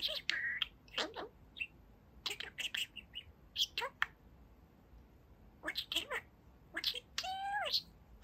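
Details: Two-year-old pet male budgie talking about his day: rapid buzzy, scratchy mimicked phrases in short bursts with brief pauses, closing in a warbled rising-and-falling trill, spoken by the bird among a person's encouragement.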